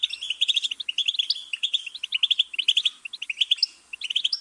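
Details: Continuous goldfinch twittering made of quick, bright, high notes repeated in clusters, with one short gap before the chattering carries on.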